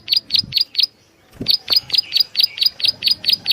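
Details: Prinia calls recorded for use as a lure: four sharp, high chirps in quick succession, a one-second pause with a low thump, then a fast even run of about ten more chirps.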